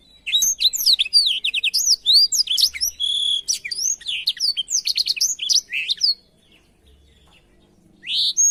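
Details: Blackthroat song meant for canaries to imitate: about six seconds of rapid, jumbled high whistles and buzzy trills, then a pause and one final rising note.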